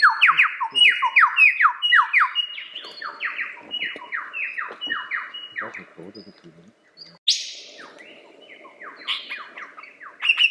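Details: Lyrebird singing long runs of quick descending whistled notes repeated over and over, a loud rasping burst midway, then more whistling with brief human voices nearby.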